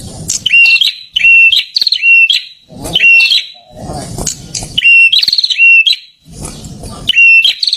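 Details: Prinia song of repeated sharp phrases, each a quick burst of chips that settles into an even whistled note, given in steady succession with brief low rustling thumps in between.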